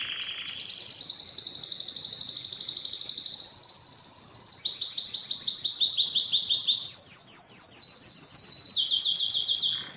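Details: Canary singing recorded to push males to sing louder: long rapid trills, each phrase a rolling series of very high repeated notes, stepping up and down in pitch, continuous and loud.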